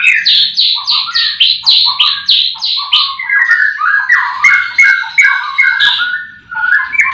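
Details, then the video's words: Morning song of caged white-rumped shamas at a breeding farm with all birds singing: a rapid series of downslurred whistled notes about three per second, then lower, richer chattering and warbled phrases, loud and clean. "Pancingan murai batu di kandang ternak"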